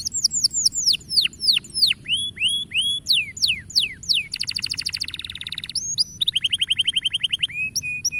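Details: Canary song meant to spur young canaries into singing: varied loud descending and hooked whistles, then rapid buzzy rattling trills and a high tinkling run, ending on level whistled notes, with a quiet low hum behind.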